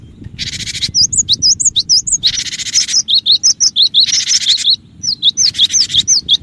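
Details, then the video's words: Actively singing cinereous tit used as a lure: high, bright whistled notes repeated quickly in V-shaped pairs, overlapped by several broad hissing noise bursts. "suara pikat Burung gelatik batu gacor"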